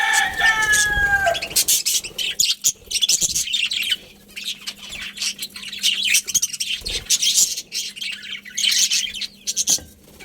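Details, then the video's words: Budgerigar colony chirping: a dense, continuous chatter of high, scratchy chirps and warbles from many birds at once, with a few clearer whistled notes at the start and brief pauses near four and seven seconds. "Cute Budgies Chirping Sounds"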